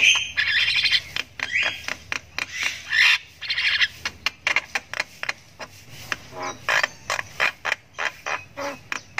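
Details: Javan myna chick (jalak kebo) giving long ngriwik chirping while learning to vocalize: harsh, buzzy squawking bursts in rapid irregular series, some drawn-out rasps, others short clipped notes.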